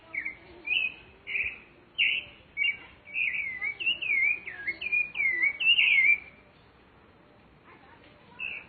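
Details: Wild rufous-bellied thrush singing outdoors. Clear whistled notes, a few at first, then a fast flowing run of warbled, slurred phrases ending in a pause and one final note.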